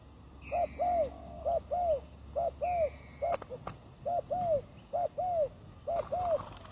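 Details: Spotted dove used as a ground decoy, giving soft low arched coos in pairs, about eight pairs in under seven seconds, with faint higher chirps from other birds and a few sharp clicks in the background.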